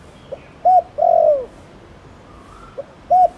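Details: Spotted dove cooing in the Thổ Đồng manner to prompt other doves to answer: a short note, a rounded coo and a long drawn-out falling coo, then the next phrase beginning with a soft note and coo.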